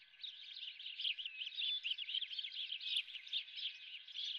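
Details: Osprey at the Dunrovin nest with a live golden fish for breakfast, giving a fast, unbroken series of thin whistled chirps.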